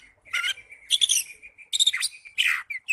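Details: Oriental magpie-robin in ngipas song, giving a few harsh, buzzy bursts linked by a thin steady whistled tone, ending in two short clipped chirps.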